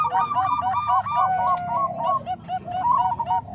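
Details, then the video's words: Zebra doves of Bangkok and Cemani Kolbuntet types, voices combined to tutor other doves: loud, bouncy cooing notes in quick sequence from overlapping birds, one long drawn note midway. "Suara Kombinasi Perkutut Bangkok Dan Cemani Kolbuntet|Untuk Masteran Semua Jenis Perkutut"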